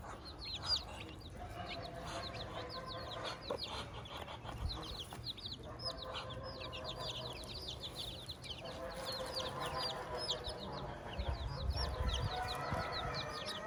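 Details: Hen with her chicks on a farm: a constant chorus of high chick peeps over soft, repeated low clucking and murmuring from the hen.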